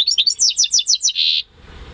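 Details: Home-bred European goldfinch × canary hybrid, May 2015: about eight quick, bright, descending chirps in steady succession, ending in a short buzzy trill, then quiet.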